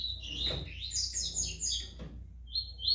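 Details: Double-collared seedeater, brown-plumaged, singing quiet, high, rapid warbling with whistled slurs. A short pause follows, then two drawn-out buzzy notes, all over a low hum.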